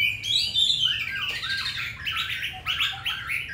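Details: Hwamei kept in a cage in Hanoi, Vietnam, singing in the wild-voiced style: dense, fast whistles at first, then a run of buzzy, chattering repeated notes.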